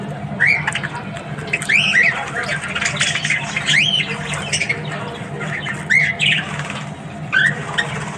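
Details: Budgerigars chattering in the morning: repeated arched whistled notes mixed with buzzy squawks and rapid warbling, in bursts every second or two, over a steady low hum.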